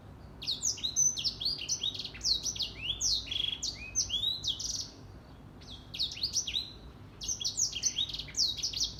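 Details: Singing in the morning, a grey singing finch pours out fast, high-pitched chattering whistles and trills in long phrases, with one short break midway.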